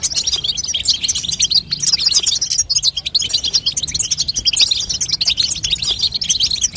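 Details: Female European goldfinch call aimed at stirring a young goldfinch into song: lively, continuous high-pitched chirping and tinkling twitters, briefly thinning once before resuming.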